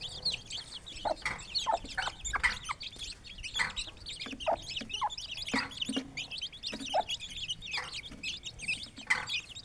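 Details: Aseel chicks staying close to their mother while feeding in a village yard, giving a steady stream of shrill, quick peeps, interspersed with short lower clucking notes and scuffing sounds.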